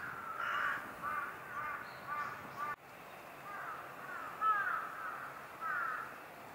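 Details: Brown-eared bulbul in early February 2021 gives harsh, screechy calls with short slurred notes, several bursts over a few seconds, against a steady low background hiss.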